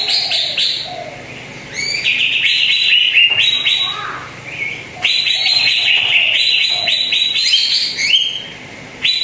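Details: Greater green leafbird singing, offered as a lure to coax a bird that rarely sings. Varied high chatter and whistles come in bursts separated by short quieter gaps, with occasional lower warbled phrases.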